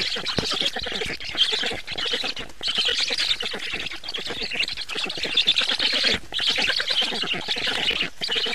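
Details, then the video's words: Black stork nest at feeding time, 24 June 2017, 19:52: bursts of fast, grating squawks with short breaks around the second, third and sixth seconds. "Must-toonekurg / fekete gólya 2017.06.24. 19:52 etetés"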